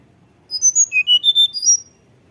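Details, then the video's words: Lure song of a tledekan gunung for encouraging young birds to sing: a crisp series of high whistled notes rising step by step, closing with two bright slurred whistles. "tledekan gunung gacor nyuling"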